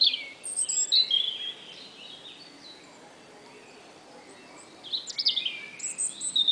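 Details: Spring morning birdsong credited to a robin: two bursts of high, bright chirps and warbled phrases, at the start and again near the end, separated by several seconds of quiet background hiss.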